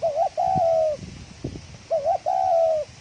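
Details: Spotted dove cooing in the fast thổ còi style, described as very rapid: two phrases, each a quick wavering double note followed by a long, steady, slightly falling coo, with faint low rustling between.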